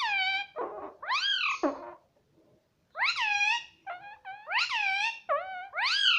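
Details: Talking pet ringneck parrot indoors, uttering a rapid string of loud, nasal, arched syllables in bursts. There is a brief lull midway, then a run of repeated rising-falling word sounds.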